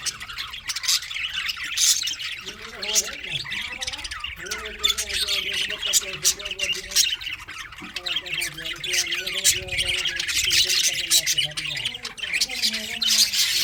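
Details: Steady high budgerigar chirping and warbling fills the scene, while low sustained tonal sounds drift through the background.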